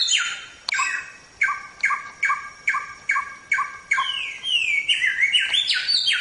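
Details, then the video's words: Chinese Hwamei (Samyong) singing a masteran training song: a steady series of short identical whistled notes repeated about every half second, then a hurried burst of bright sliding phrases. "Suara Burung Samyong | Gacor"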